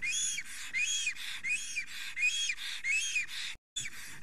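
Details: Excited wild male black stork at his nest in Estonia, 10:48 am on 30 April 2020, trembling and singing while a female is nearby. Wheezy, hissing bursts, each holding an arched whistled note that rises then falls, repeated about every 0.7 seconds.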